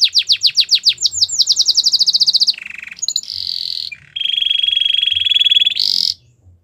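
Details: Belgian canary performing training song, opening with rapidly repeated downslurred notes that speed into a trill, then shifting through low and high rolling tours before ending abruptly.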